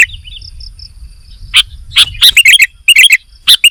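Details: A few soft, thin whistled notes from a sooty-headed bulbul, then a loud burst of bubbly, chattering warbled phrases with sharp ticks.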